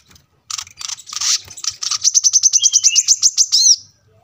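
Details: Brown-throated sunbird singing near a road, captured as a training track for caged birds: harsh scratchy notes build into a quickening run of bright high chips that ends in an arched whistle.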